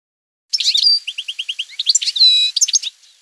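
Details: European goldfinch in campero-style song: a burst of tinkling, twittering notes with a run of short evenly spaced chips, then liquid trills and a drawn-out buzzy note before closing chirps, on a clean silent background.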